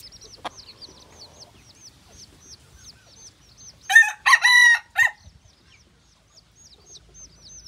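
A junglefowl hybrid rooster gives a short, harsh, broken crow in about three rapid bursts, over a steady background of high, repeated insect or bird chirps.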